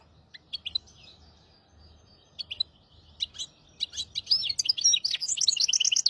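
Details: Hybrid bird, a 'maestro' singer, recorded as a tutor for goldfinches and canaries: scattered sharp chirps and short twitters build into a fast, continuous run of high trills and warbling notes.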